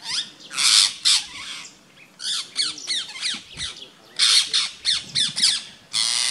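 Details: Mobbing rose-ringed parakeets attack a rat snake in Gir Forest, Gujarat, India, 3 April 2015. They give grating squawks mixed with shorter descending screeches, in bursts separated by brief pauses, with a long harsh note at the end and faint voices.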